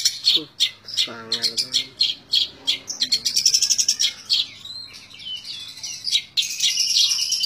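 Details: Long-tailed shrike singing tembak ngebren: a jumbled, nonstop medley of harsh chatter, buzzy stutters and high squeaks, with a short lower nasal series early on.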